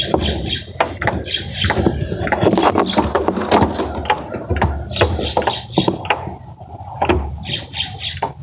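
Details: Barn owl chicks about 5–6 weeks old, their wings forming and white fluff shedding, give harsh, breathy hissing screeches in short repeated bursts over a steady low rumble and handling noise, filmed close up with flash.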